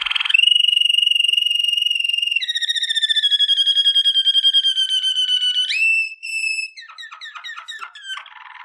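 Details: Waterslager canary singing for training, long pure whistles at two pitch levels with rapid tremolo, a short clear note, then quick falling slurred chips and a low trill.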